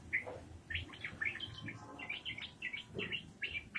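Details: Rapid 'ropelan' song from an actively singing yellow-vented bulbul: a near-continuous chain of short, liquid, up-and-down slurred notes, bright and chattering, over a soft low rumble.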